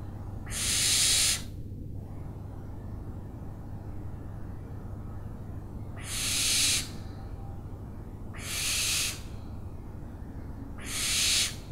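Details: Owl repeating harsh, hissing screeches, four in all, each under a second and spaced roughly two to four seconds apart, with a steady low hum between them.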